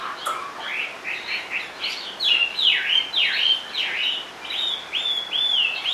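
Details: Chinese hwamei in a cage, perched low while singing: a brief chatter, then a repeated series of bold down-and-up swooping whistles at a lively, uneven pace.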